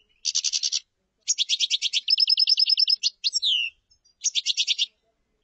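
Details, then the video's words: Common chaffinch singing: bright rapid trills of repeated notes, then a faster run of sliding notes ending in a looping flourish, with a second trill closing the clip after a pause. No other sounds. "تغريد تبلاط"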